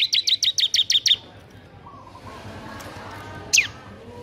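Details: Bar-winged prinia singing in a lively, energetic style, used as a tutor song for other birds: seven quick sharp chirps about a sixth of a second apart, then quiet with one more chirp near the end.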